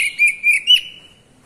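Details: Oriental magpie-robin (kacer) giving three quick, bright whistled notes, each slightly higher than the last, trailing into a fading thin whistle, with no other sounds.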